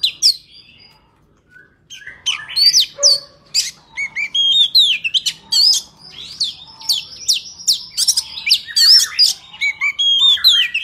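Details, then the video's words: Oriental magpie-robin singing its forest-style song, played to tutor young birds and for trapping. A quiet start builds into a rapid, varied stream of high whistled slurs, upsweeps and chirps. "Chòe than hót giọng rừng cực phê"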